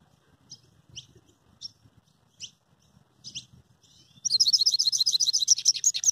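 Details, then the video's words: Saffron finch singing while held in the hand: a few spaced short high chips, then a loud fast buzzy trill of rapidly repeated high notes, with soft low handling rustle beneath. "cabecita saladillo cantando en la mano"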